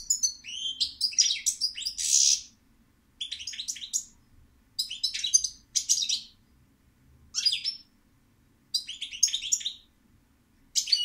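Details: European goldfinch giving repeated bursts of jangling, twittering song, each burst about a second long with short pauses between, crisp and high, with little background sound.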